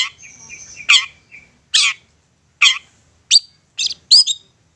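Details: Long-tailed shrike's insistent provoking song aimed at making other shrikes respond: a buzzy trilled note, then spaced harsh, raspy bursts and a couple of sharp upslurred whistles.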